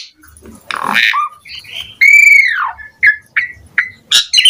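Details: Asian pied starling in full-filler song, mixing a raspy burst, a loud drawn-out arching whistle that rises and then falls, and several short clipped whistled notes.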